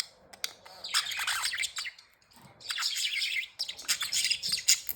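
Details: Happy budgies sing in bursts of high, scratchy warbling chatter, each lasting about a second, with short pauses between them.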